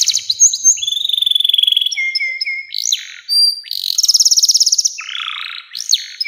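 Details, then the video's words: Canary singing long phrases as a lure for young birds. Rapid trills, a level whistled tone and short repeated whistles give way to a fast rolling trill and a harsh buzzy burst. "SUARA KENARI NEMBAK PANJANG‼️cocok buat pancingan kenari muda dan masteran burung"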